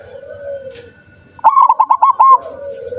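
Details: Zebra dove recorded 7 November 2023, a bird that rarely sings, delivers one loud, quick phrase of six or so ringing, rolling coos, framed by quieter low drawn-out notes and a steady pulsing high hum.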